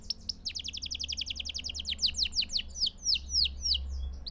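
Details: Pure canary song played for training young birds: a fast run of thin downward-sweeping notes that slows into louder, spaced descending sweeps near the end, over a faint low hum.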